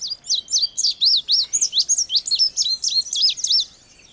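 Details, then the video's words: Indigo bunting song: a steady string of high, sharp, rising-and-falling notes delivered about four per second for roughly three and a half seconds, clean and clear. "Canto do Bandeira Índigo ou Estamenha Índigo"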